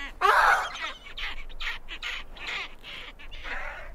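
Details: Great skuas calling as they invade the territories of two neighbouring penguin pairs: one loud, harsh, raspy cry opens, followed by a string of softer, hoarse, evenly spaced barking notes.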